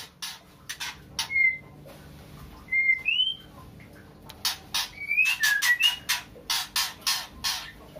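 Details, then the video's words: Female white-rumped shama in breeding condition calling a male: harsh, broadband rasping bursts repeated in quick series, mixed with short clear whistled notes, some rising, others level, over a quiet background. "Murai Betina Gacor full ngeplong memanggil jantan"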